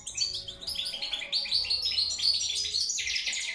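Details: Continuous, dense goldfinch song of rapid tinkling, buzzy twitters packed closely together, ending in a slightly lower liquid trill, over a soft low background hum.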